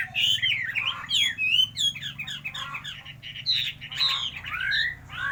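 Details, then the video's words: Chinese hwamei with a varied song of short slurred whistles and chattering bursts, rising and falling in uneven clusters separated by brief pauses. "Hào mi hót nhất mường nhé"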